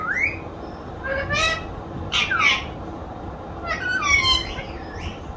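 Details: Talking parrot kept as a pet, said to utter Allah hoo clearly: rough squawky syllables and voice-like harmonic sweeps in three bursts, with a quiet room hum between them.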